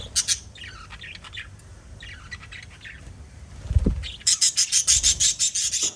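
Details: Pet budgerigars, a group of five, chirping: scattered short high chirps, then a rapid run of sharp, bright chirps repeated about three times a second, with a low thump midway.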